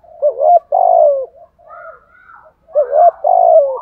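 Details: Decoy spotted dove, thúc gù cooing: a hoarse, low, wavering double coo ending in a long, slightly falling note, a pause of quiet higher murmurs, then the same loud phrase repeated.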